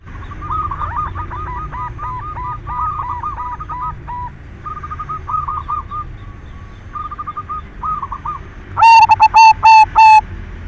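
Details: Zebra dove of the silver variety, a lure recording meant to stir other doves' breeding drive to sing; many soft rolling coos overlap throughout, then a loud harmonic cooing phrase bursts in near the end.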